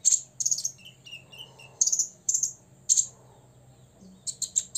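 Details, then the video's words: Six-year-old olive-backed sunbird singing ngobra to provoke rivals: short clusters of high chips with a few lower whistled notes between, in well-spaced bursts. "kolibri ninja ngobra 100% bikin lawan EMOSI"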